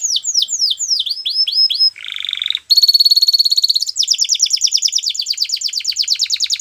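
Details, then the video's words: Belgian canary song with a string of sweeping down-slurred whistles, a short harsh buzz, then a ringing rapid trill and a long run of fast rolling notes. "Canary Singing | Belgian Canary"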